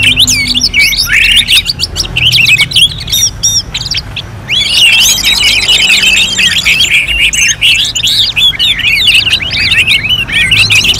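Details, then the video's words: Orange-headed thrush, North Bali cage bird, singing a long, vigorous sequence of varied high whistles, rattling trills and slurred notes, with a quieter stretch before resuming a rapid, continuous outpouring. "KICAUAN ANIS MERAH"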